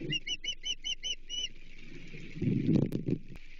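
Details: Ospreys at a Chesapeake nest during a thunderstorm on 25 July 2023, around the fourth fish delivery. Rapid series of six sharp, whistled chirps in a second and a half, followed by rustling and thumps.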